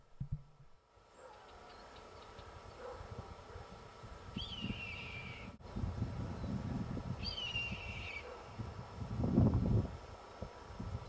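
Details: A soaring Red-tailed Hawk in Louisiana in winter gives two hoarse, high screeches, each slurring downward for about a second, three seconds apart, over a steady low rumble of wind.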